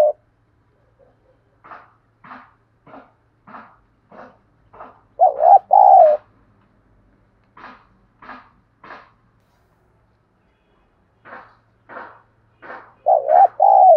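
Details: Spotted dove lure recording meant to provoke fighting and bring wild doves to answer. Low two-part coos occur twice, between series of short, sharp, evenly spaced tapping or chirping pulses.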